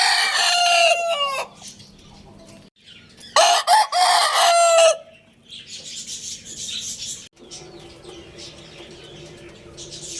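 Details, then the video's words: Rooster crowing twice, each a loud harmonic cock-a-doodle-doo of about one and a half seconds with a falling end, separated by a quieter gap of soft clucking and background hum. "Roosters Crowing Compilation | Rooster Crowing Sound Effect"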